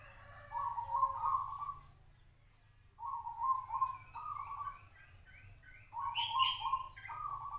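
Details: Zebra dove of a local strain, held for five years, repeating vibrating, purring cooed phrases in three groups separated by short silences, with a brief higher trill near the end.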